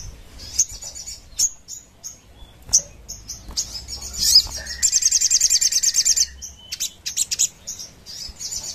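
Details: Crimson sunbird singing energetically in the 'nembak ngerap' style, a recording meant for luring and tutoring birds: scattered sharp high chips, then a rapid even trill of about twenty notes at mid-clip, then more chips.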